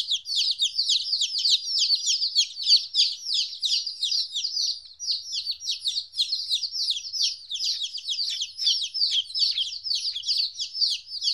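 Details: Fourteen-day-old chicken chicks apart from their mother for the first time, giving a dense chorus of shrill downward-sliding peeps, many callers overlapping without pause over eleven seconds.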